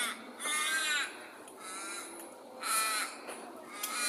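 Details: Perth birds by day give two prominent harsh, drawn-out squawks, separated by a quieter, fainter call in the middle, against a constant hiss of urban background.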